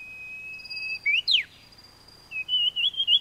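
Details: Taiwan Fulvetta, a bird endemic to Taiwan's mountains: high thin chirps, then a sharp downward-sweeping note, and after a pause a run of quick wavering twittering notes, over a steady high whine in the background.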